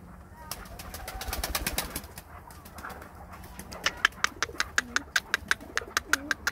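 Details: A captive chukar nicknamed "Ostrich" gives a run of sharp, clucking chuk notes that speed up to about four a second, after its owner repeatedly urges it to call; rain is mentioned.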